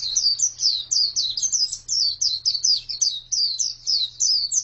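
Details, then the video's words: A female white-eye's song of quick, high, slurred chirps in an unbroken lively series, with a low steady hum beneath. "Pleci betina sangat bagus suaranya"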